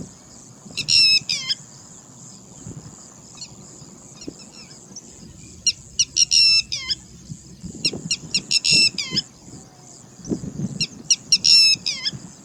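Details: Alarmed, angry red-wattled lapwing repeating groups of piercing, sharply dropping notes in irregular bursts every few seconds, with a steady high whine and low rustling in the background.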